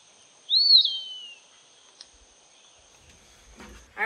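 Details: Eastern wood-pewee singing: one clear, slurred, high whistle that rises then droops, followed by a faint click, then a person begins speaking.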